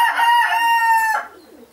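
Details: Short, loud crow from a red-saddled Yokohama rooster kept with hens in Holland, a rough, evenly held note lasting just over a second before cutting off sharply.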